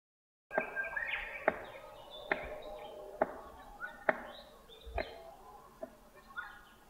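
A cockatoo drums in courtship with sharp, hollow knocks about every second, slightly uneven in pace, over a soft wash of chattering calls in the background.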